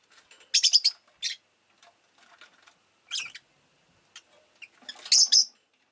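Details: Rosy-faced lovebird, a household pet, producing a run of scratchy high chirps of varying length amid scattered faint clicks and rustles.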